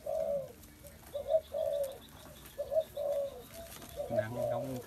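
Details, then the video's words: Spotted dove calling steadily: low, hollow coo notes grouped in short, evenly spaced phrases, with a brief burst of another sound near the end. "Chim cu gáy"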